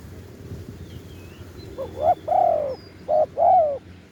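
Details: Live recording of a spotted dove used to call wild birds: after a second of low rumbling background, a rising short note and a long arched coo, then another short-long coo pair.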